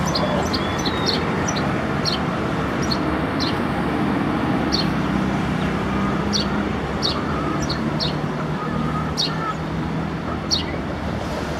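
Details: Chirping sparrow recorded in Nepal, giving a busy run of brief, sharp high chirps, sometimes clustered two or three together, roughly two per second, against constant passing traffic.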